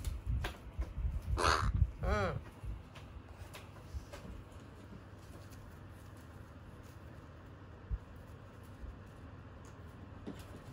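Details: A rescued young carrion crow whose voice is changing, sounding almost like talking, gives two hoarse, nasal, babyish caws about half a second apart, followed by quiet indoor hum and a few soft clicks.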